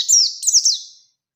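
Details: Bustomi-type oriental white-eye singing in 'nembak' style, a rival-challenging song: two quick bursts of very high, sharply falling whistled slurs, then silence.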